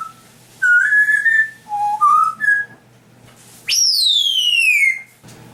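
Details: African grey parrot mimicking sounds indoors: a steady mid-pitched whistle, two short stepped notes rising in pitch, then a long loud whistle that jumps high and slides smoothly downward over a second.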